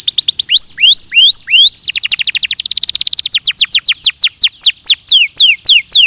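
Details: Belgian canary singing as a training recording: rising whistled sweeps repeated about every half second, then a fast buzzy trill, then clear descending slurred notes in quick succession.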